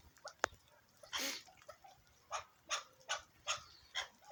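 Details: A partridge described as Pakistani gives short, harsh, broadband call notes, repeated at a steady rhythm of about two or three per second, after a few scattered clicks at the start.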